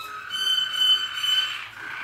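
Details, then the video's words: Malinois Waterslager canary, 2014: a brief continuous rolling trill with a steady whistled tone above it. "Malinois Waterslager 2014"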